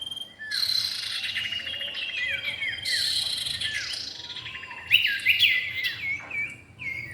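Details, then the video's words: Common iora, male and female, in a lure recording: three dense phrases of rapid chirps and falling whistles, the last louder and sharper, over a constant high tone. "pikat burung cipow jantan dan betina"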